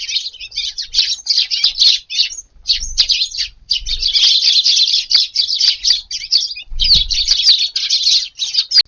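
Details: A flock of Eurasian tree sparrows chatters almost nonstop at a garden feeding spot on a hot August 19 morning, overlapping high chirps with only brief gaps and occasional soft thuds.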